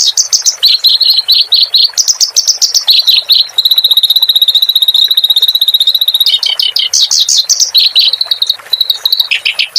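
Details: Clamorous reed warbler song played to train caged songbirds: rapid, scratchy chattering phrases, broken by a steady, pure, high held whistle lasting about two and a half seconds, then more quick repeated notes, with soft background hiss.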